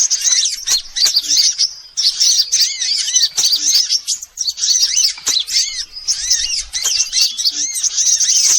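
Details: Sunbird lure sound to attract all sunbird kinds: shrill, crowded chirps and arcing high notes in several bursts separated by brief lulls, with soft low ticks between.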